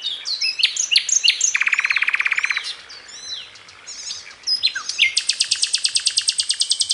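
Common nightingale song: rich whistled and fluted phrases with sudden changes, broken by fast rattling trills, one low and one very high and sharp.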